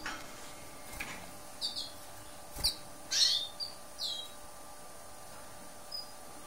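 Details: Lesser goldfinch, green-backed subspecies hesperophila, giving sparse high, thin notes, some slurred downward, spaced about a second apart over faint background hiss and a few soft clicks.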